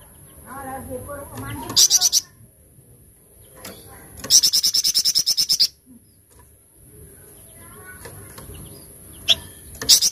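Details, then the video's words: Flamboyan delivering its 'tembakan cadas' song: brief and then longer bursts of quick, evenly spaced, shrill high notes fired in rapid series, separated by quieter gaps with low murmuring voices and background hum. "TEMBAKAN CADAS FLAMBOYAN"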